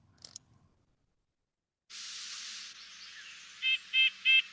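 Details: Red-breasted Nuthatch call, not song: four quick, nasal, tinny toots in an even series, high and horn-like, after a burst of steady hiss and a faint click.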